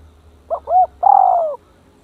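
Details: Captive decoy spotted dove calling while facing an aggressive, brave rival dove: two quick soft hooting notes lead into one long, smooth, gently falling coo, then silence.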